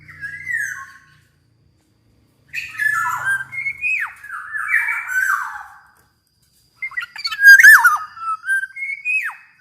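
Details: Black-naped oriole (kepodang emas) calling, intended as a master tutor to make other orioles sing: three phrases of harsh, squeaky, downward-sweeping notes mixed with fluty slurs, with pauses of a second or more between them.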